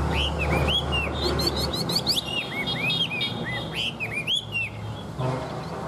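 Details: Captive tame Chinese hwamei in good voice, delivering loud varied whistled phrases: looping slurred notes, fast rising sweeps and high trilled bursts in rapid succession, with a low background hum.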